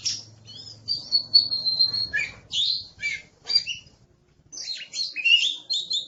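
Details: Oriental magpie-robin, described as aggressive, singing a long sustained high whistle followed by scratchy, jumbled phrases, a brief silence, then quick bright twittering notes, with a faint low hum beneath.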